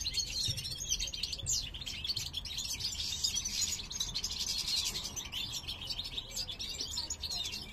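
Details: Caged male European goldfinch of the parva subspecies sings as his breeding partner inspects a new nest, 2023 season: a dense, continuous run of bright twittering and tinkling notes, rapid and unbroken across the whole stretch.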